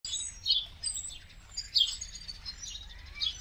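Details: Common starling, a winter migrant in India arriving in huge flocks, gives high, squeaky chirps and thin whistles in uneven bursts about once a second, over faint low background noise.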